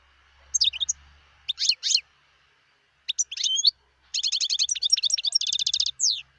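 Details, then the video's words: European goldfinch, wild, recorded in 2018: a few sharp metallic chirps and clipped phrases, then a long continuous run of fast tinkling twitters and trills. "صوت الحسون البري"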